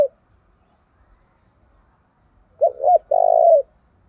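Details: Spotted dove, a decoy bird, calling vigorously to provoke fights; a short two-note cooing phrase followed by a longer rolling, vibrating coo, low and mellow, after nearly three seconds of quiet.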